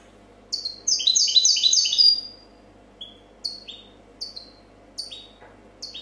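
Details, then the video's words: European goldfinch, a 2014 competition champion singing in the copia style: a dense burst of rapid high twittering notes for about a second and a half, then short paired descending chirps at regular intervals. "Chardonneret chant copia champion 2014"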